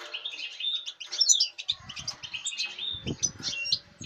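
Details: European goldfinch from the season's latest breeding, recorded 5 August 2019, singing a fast, high twittering song of tinkling notes and buzzy slurs, with low thumps and rustling from about halfway through.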